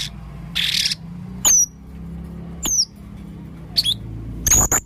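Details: An actively calling male Blue-crowned hanging parrot gives strange sounds: a harsh rasp followed by thin, very high notes that slide downward, widely spaced, and a final quick pair of sharp squeaks.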